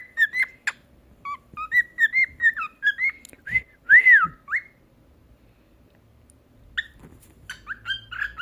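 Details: Pet cockatiel being taught to talk and sing indoors, whistling a long chain of quick chirps and slurred notes, with a louder harsh note in the middle. After a pause it resumes with more rapid whistles.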